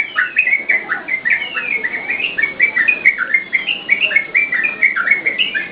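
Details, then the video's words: Prolific song of a yellow-vented bulbul, played to lure and tutor caged birds: continuous rippling whistles, quick upslurred and downslurred notes strung into a dense, energetic stream. "SUARA TRUCUKAN GACOR UNTUK PANCINGAN DAN MASTERAN"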